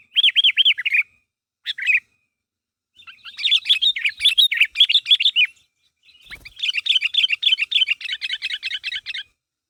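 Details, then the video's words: Sooty-headed bulbul calling others so they reply, in a recording meant to lure and trigger its own kind: separate bursts of loud, quickly repeated chirps, some bubbly and tumbling, the last a long rapid chatter. "Suara Burung Kutilang Gacor Memanggil Temannya Agar Bunyi"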